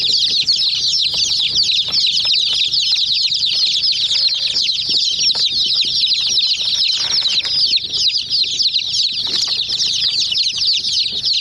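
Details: Many hen chicks pecking at a small white toy jeep, giving a dense, continuous chorus of high, thin peeps that overlap without pause, with light tapping and scratching underneath.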